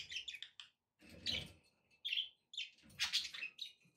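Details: Budgerigars kept as pets, several birds, in bursts of shrill, buzzy warbling chirps broken by brief pauses, with a low rumbling background noise under the louder bursts.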